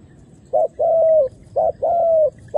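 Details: On the ground, wild doves of both sexes answer a decoy dove's call. Two short-then-long coo phrases, the long notes smooth and level, then the start of a third.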